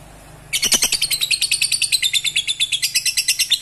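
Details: Lovebird chattering to stimulate breeding: after a brief pause, a fast, steady stream of buzzy, high, repeated notes, roughly six per second, continues without a break.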